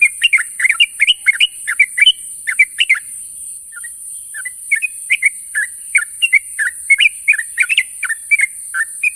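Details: In the morning a sooty-headed bulbul calls to companions with dense runs of bubbly, liquid chirps, briefly easing to a few soft notes before returning to rapid chatter, over continuous hiss.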